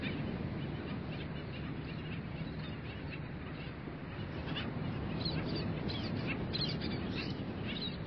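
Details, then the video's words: Dawn chorus of skimmers at a beach sanctuary: scattered thin yelping calls grow denser in the second half, set against a broad wash of waves and wind. "Rayadores cantando al amanecer"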